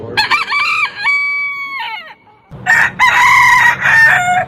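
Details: Rooster crow with stuttering opening notes, a long level middle and a falling end, followed after a short gap by a rougher, buzzier crow from another bird over low background hum.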